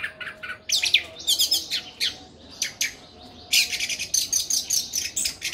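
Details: Persistent song from an orange-headed thrush: rapid, scratchy chattering bursts and high chirps delivered in quick clusters, pausing briefly before a long, dense run of harsh, buzzy notes.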